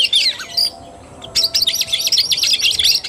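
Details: Oriental magpie-robin in fighting-style (tarung) song, recorded 17 August 2021. A short whistled burst, nearly a second of quiet, then a fast unbroken stream of high chirps and trills.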